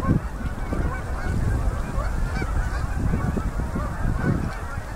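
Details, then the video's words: Endless flocks of Canada geese landing on a Manitoba river at sunset in October 2018 migration; a close, loud jumble of honks layered over strong low-pitched rushing noise from wings and wind. "Endless Flocks Of Canada Geese Landing In A River In MB Canada"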